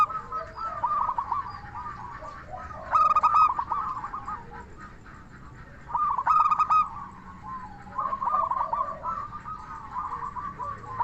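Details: Local zebra dove with 'crystal voice' song, played to provoke other zebra doves into answering: two loud ringing coo phrases about three seconds apart, over a continuous chorus of softer rolling coos.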